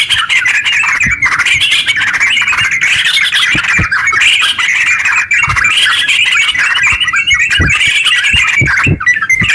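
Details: Extended 'ropel panjang' singing by a sooty-headed bulbul as a lure for other bulbuls; wavering, rapid chatter rising and falling in loose phrases, with occasional soft knocks in the background.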